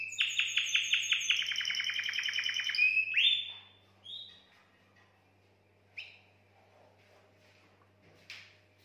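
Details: Canary mating song meant to excite females: a fast, even trill of pulsed notes for about three seconds, then a rising whistle and a few scattered faint chirps over a low hum.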